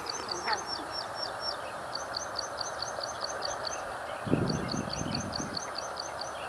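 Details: Plain prinia of the Taiwan-endemic subspecies Prinia inornata flavirostris, recorded 2 June 2019 at Dianbao River, Taiwan. A rapid series of thin, high, clipped notes repeats in continuous bursts with a short pause midway, over steady background hiss and a brief low thud.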